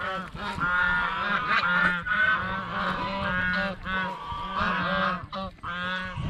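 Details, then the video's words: Geese honking as they eat bread and fresh vegetables at a fish pond; loud nasal honks come in clustered bursts separated by brief gaps over several seconds. "เสียงห่านร้อง ห่านกินขนมปังกับผักสดในบ่อปลาอย่างเอร็ดอร่อย | Goose Sound Effects"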